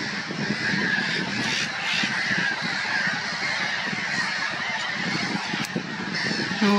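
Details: Black-headed gulls on a lake just after the ice has melted, 17 April 2024: a dense, continuous chorus of harsh, overlapping calls from many birds, with a steady noisy background throughout.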